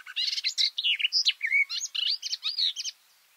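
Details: Close recording of a garden warbler (Silvia borin) singing under cover of a bush, microphones two meters below: a continuous fast warble of mellow, varied notes and slurs running nearly three seconds, then stopping.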